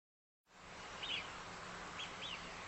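Three clear whistles from a male Eurasian Wigeon, each rising quickly then stepping down, against a steady hiss of night-time background noise.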